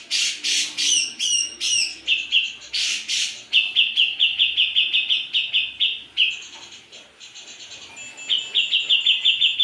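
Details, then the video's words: Grey-cheeked bulbul singing loudly (gacor): a series of harsh rasping notes, then a long run of rapid high trills, a short buzzy section, and the quick trill again. "Cucak jengot gacor"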